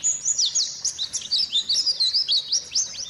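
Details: Lively white-eye song meant to coax a quiet bird into singing: bright, high chirps and short whistled slurs pulsing in quick regular bursts, with little pause throughout.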